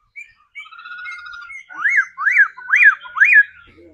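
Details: Trained laughingthrush practising its song: a few thin whistled notes, then four loud arched whistles sweeping up and down, each about half a second apart, in a quiet setting.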